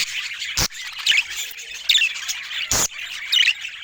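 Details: Pet budgerigar described as looking happy today: scratchy chirps and short squawks in bursts, with two sharp clicks or knocks cutting through the chatter.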